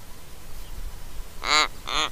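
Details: Little Raven recorded by trail camera in Mannum, South Australia, making a creaking sound with fluffed head feathers and ruffled throat hackles; two rasping, nasal creaks in quick succession, the first longer, under faint background hiss.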